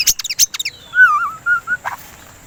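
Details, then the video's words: White-rumped shama singing, used to stimulate other birds to sing: a burst of sharp metallic chips, then a rich lower warbled whistle with wavering notes and two shorter whistles, closing with a harsh rasp. "Pancingan Suara Burung dan terapi murai batu biar tidak birahi"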